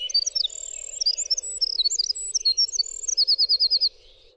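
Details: Winter wren song, clear and loud: rapid high-pitched twittering trills and warbles tumbling up and down, ending in a fast even run of repeated buzzy notes, over a steady low hum.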